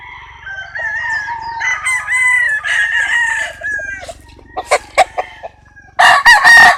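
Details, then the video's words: Several rooster crows run together in long, wavering harmonic phrases, followed by sharp clucks and a loud burst of overlapping crowing at the close. "Chicken sounds, Roosters Crowing sound effects"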